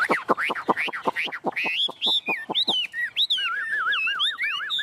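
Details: A tame caged Chinese hwamei (Garrulax canorus), held by hand while the cage is shaken, sings loudly: a fast run of repeated downslurred notes, then ringing high whistles and rapid rolling warbles.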